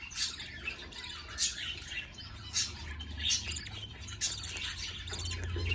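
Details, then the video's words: Budgerigar chicks being fed by a parent, giving harsh, noisy squawking bursts repeated irregularly about once a second, with a steady low hum underneath. "Budgie feeding baby chicks"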